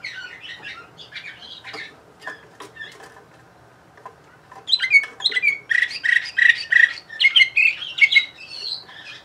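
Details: Song of a Bulgarian canary recorded in Sofia in 2020: scattered soft chirps and clicks, a short pause, then a loud, fast burst of rolling trilled notes and clear whistles lasting several seconds.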